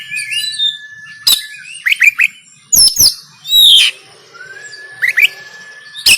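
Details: Oriental magpie-robin fighting song in Banten, Android phone recording meant to spur caged birds to sing; varied whistles, sharp cracking notes, loud falling slurs and a long rising whistle.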